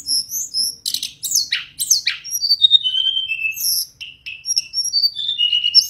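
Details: Mangrove blue flycatcher singing in the wild: bright whistled notes and quick downward-sweeping slurs, then long level and gently falling whistles, delivered in lively varied phrases with short pauses, very clean with no other sounds.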